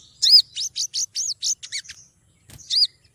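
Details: Female Olive-backed Sunbird (sogon) calling to attract a male, used as a lure sound: a quick run of six sharp, high arched chirps over about one and a half seconds, a short pause, then one more bright chirp.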